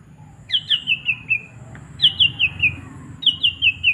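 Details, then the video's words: Long-tailed shrike singing with sparrow material: three short phrases about 1.5 seconds apart, each a quick run of four or five clear notes stepping downward in pitch, over a steady low background hum. "cendet pastol mewah materi Greja kereta"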